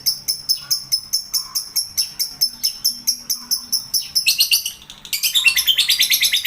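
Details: Lovebird calling: shrill, high chirps repeated steadily about twice a second for four seconds, then a brief pause and a faster, denser burst of piercing chatter; background otherwise quiet.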